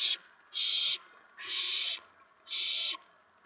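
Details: Owl nest on April 19, 2017, shortly after 8 PM, with adults delivering food to owlets. Loud raspy hissing screeches, each about half a second long, come roughly once a second, four in a row.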